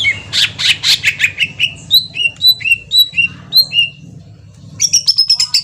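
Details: Green leafbird (cucak ijo) lure song meant to provoke a reply; loud, rapid chirping bursts, then a string of clear short whistled notes, a brief pause, and a final quick high trill.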